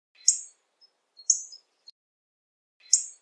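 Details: Hawfinch uttering high, explosive chirps with a slightly rasping lower edge, each followed by faint ticks, three main notes in about three seconds.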